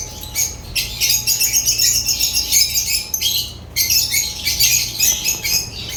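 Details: African lovebirds in rapid pulsing chatter, harsh high squeaks repeated quickly for about three seconds, a brief silence, then another fast run.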